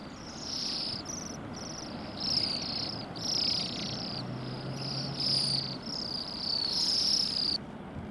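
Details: Bohemian waxwings feeding on rowan berries in a yard by a road on an overcast December day in Pushkin, Saint Petersburg, Russia; a flock gives high, thin, shimmering trills in overlapping bursts of about a second, with a low traffic hum beneath.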